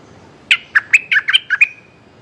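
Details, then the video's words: Streak-eared bulbul calling to attract a mate, giving a brisk run of seven or eight clear, slurred chirps that alternate higher and lower notes, ending on a drawn-out whistle tail; quiet background. "เสียงนกดอกแตงEp.181จ้าวแบงค์เรียกคู่!! Suara pikat merbah lekir"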